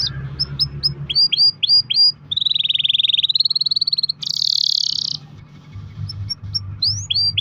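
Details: Canary song used to prompt other canaries to sing: sharp downward-swept whistled notes, then a long rapid buzzy trill, a brighter continuous trill, and more swept chirps, over a low steady hum.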